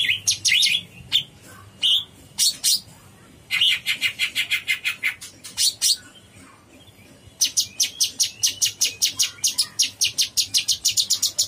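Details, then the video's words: Cucak cungkok bulbul delivering long bursts of song: clusters of loud chips and rattling runs of rapid high notes, separated by short pauses, finishing in a lengthy fast chatter. "Suara burung cucak CUNGKOK gacor"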